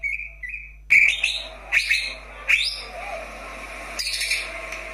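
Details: Greater green leafbird, daily song meant to rouse lazy birds into singing: opens with a sustained clear whistle, then a series of sharp upward-sweeping whistled notes spaced under a second apart, fading into softer background noise.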